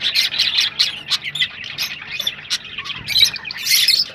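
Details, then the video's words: Rosella vocalisations meant to spur breeding: quick, rhythmic scratchy squawks and chirps, busy and loud, with a brief low whistle near the end. "تغريد طيور الروز ( حفز طيورك )"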